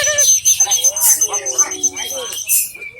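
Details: Greater green leafbird singing at a bird-song competition: rapid, varied chattering and whistled notes, about four per second, over people talking, background music and other birds.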